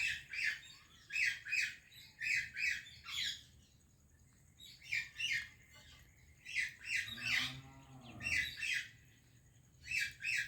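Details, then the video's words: A run of paired and tripled harsh squawks from an Indian parrot greeting a Pakistani parrot. There is a quiet gap midway, and a lower wavering tonal sound rises beneath one burst. "Indian Parrot Greeting Pakistani Parrot | Funny Talking Parrot"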